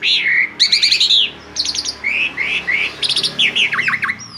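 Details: Asian pied starling, a bird that lures others to join in song, giving loud rapid phrases: rising whistles, trilled rattles and descending slurred notes in short bursts, over a steady low background hum.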